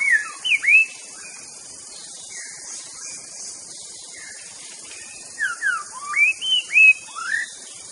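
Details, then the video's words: White-rumped shama master song used to provoke rivals: scattered, sweet whistled notes, some swooping down and some curling up, in two bursts separated by a quiet pause with soft faint notes. "MASTERAN MURAI BATU BIKIN EMOSI 100% TIADA LAWAN"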